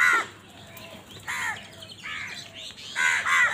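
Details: Crows in a village: a few separate throaty caws, one at the start, then spaced calls and a closing pair of loud caws.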